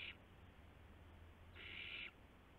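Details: Owlet at a nest around midnight on March 19, 2016, amid adults bringing mice and a gopher; a short tail of one hiss, then a loud, drawn-out raspy hiss lasting about half a second, with faint low hum.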